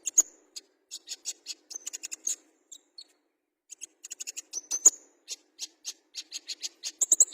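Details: Olive-backed sunbird, a fighter songbird, giving sharp high-pitched chips and ticks in loose bursts with occasional short thin whistles and gaps of near silence between.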